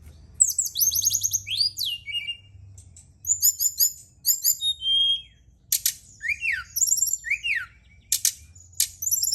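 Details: Brown-chested jungle flycatcher singing, used at night to encourage another bird to sing: varied high whistled phrases, buzzy repeated notes and falling slurs, alternating with sharp clicks in a lively, uneven sequence.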